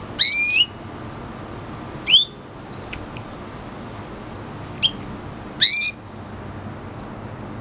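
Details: Red hooded siskin hybrid with canary, F1, calling with upward-sweeping whistles and short high chips at irregular intervals across several seconds.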